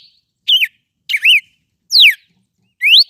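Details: Red-cowled cardinal singing a lot, giving four loud separate whistles: two wavering slurred notes, then one falling steeply and one rising sharply, spaced under a second apart with quiet gaps.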